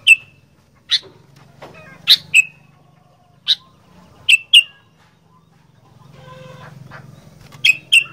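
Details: Vocal sooty-headed bulbul as a 'fighter' bird, giving single and paired sharp chirps at irregular intervals over a steady low droning hum.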